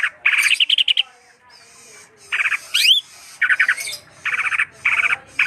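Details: A greater green leafbird gives clipped groups of rapid chattered notes, a sharp upward-sweeping whistle, and further short stuttering phrases separated by pauses.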